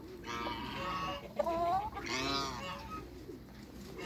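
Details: Geese of African and Toulouse breeds, part of a group of six on a farm, give loud nasal honks with rich harmonics, one long call rising and falling, followed by a quieter, drawn-out honk and brief softer notes.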